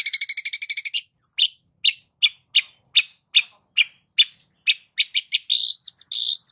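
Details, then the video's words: Long-tailed shrike giving a lure song, rich in varied borrowed phrases: a fast, even burst of harsh buzzy notes for one second, then sharp scratchy chirps about every half second, ending in quicker whistled and rasping notes. "SEMAKIN HARI CENDET SEMAKIN BAYAK VARIAN KICAU DENGAN SUARA PANCINGAN FULL ISIAN MEWAH INI"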